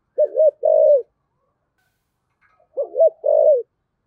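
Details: A spotted dove with a rich 'giọng thổ' voice gives two soft phrases, each a rapid double note leading into a longer downslurred coo, separated by a pause of over a second.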